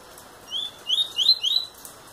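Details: Eight-month-old double-collared seedeater giving a short phrase of four bright, upward-sweeping whistles in quick succession, each note slurring higher than the last, over a faint steady background hiss.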